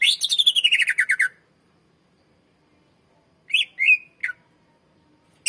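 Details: Greater green leafbird in full song, kept as a lure for young birds: a rapid descending trill of about a dozen bright notes, then a silence, then a few slurred whistles and a sharp chip.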